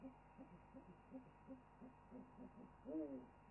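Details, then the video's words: Owl on a wildlife webcam during an owl chorus: a run of short, soft low notes roughly every third of a second, leading into a louder, wavering arched hoot. "After an owl chorus"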